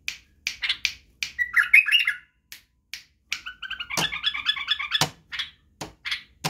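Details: White-eared bulbul (Badrawi bulbul) song for teaching young bulbuls to sing, including the barwaz style and wing snapping. Sharp dry clicks repeat between two warbled, chattering phrases, a short one near two seconds and a longer bubbling run after three seconds.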